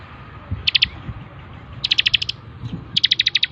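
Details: Bar-winged prinia, called ciblek, on a training master track: short clusters of quick staccato high notes, building to a longer rapid trill at the end, with light background noise.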